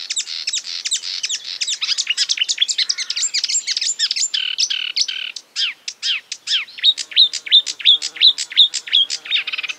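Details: Marsh warbler imitating other birds with a fast, steady burst of high chirps and ticks, nearly three notes per second, ending in a run of repeated sweet upslurred whistles.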